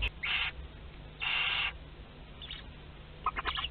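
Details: Western barn owls in a nest box at Théding during the hatching of chicks two to six of a second brood, 22 August 2021: two harsh, breathy hisses about half a second long, then faint quick ticking notes.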